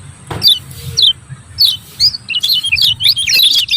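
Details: Lemon-bellied white-eye in captivity, the "ciak ciak" style used to stir reluctant birds into song and to call a rival: sharp, high, thin chirps in irregular bursts over a low rumbling background hum.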